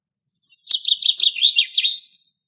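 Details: In Greek countryside, a common chaffinch (Fringilla coelebs) sings one bright, high phrase of quick repeated notes tumbling into a sweeping final flourish, under two seconds, with a faint click near the start.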